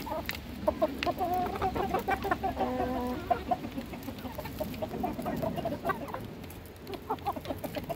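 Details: Domestic hens at feeding time, clucking in short bursts, with one steadier droning call in the middle, amid steady pecking and scratching noise.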